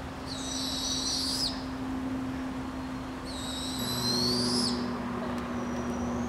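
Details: Barred Owl family in British Columbia, Canada, giving two long, high, raspy screeches that rise at the end, about three seconds apart, with a steady low hum running underneath.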